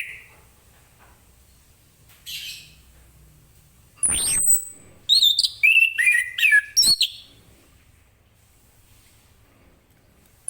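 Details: Orange-headed thrush in the morning, singing ngeplong style to draw answers from other birds; faint chirps, a sweeping high note, then a burst of quick whistled warbles lasting about two seconds, followed by quiet.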